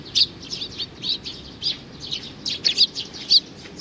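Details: High chirps from a young sparrow recorded in June 2019, given in irregular bursts with a few louder, sharper notes.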